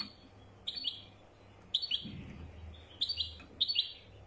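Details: European goldfinch of the type called wedani, giving short bright chirps at a high pitch in small clusters, about four bursts spread over a few seconds, with a faint low hum behind.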